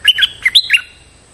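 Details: Stripe-throated bulbul calling to challenge a resident bird on its territory, used as a lure: five quick, liquid, gurgling notes that rise and fall, then a short trailing tail.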